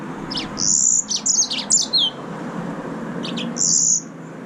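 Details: A green singing finch, the yellow-fronted canary, delivers high buzzy drawn-out notes alternating with quick chirped clusters and a downslurred whistle, two song phrases separated by a short pause.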